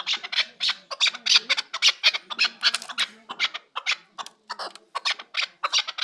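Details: Chukar partridge recorded in Kabodiyon district, giving dense, rasping chuck-like notes in quick irregular bursts, some doubled, with brief gaps near the middle and a soft low hum beneath.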